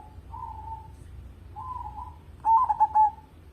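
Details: Vigorous local zebra dove song, suited as a lure for other birds: two smooth, drawn-out coos followed by a louder phrase of rapid stuttering notes running into a sustained cooing tail.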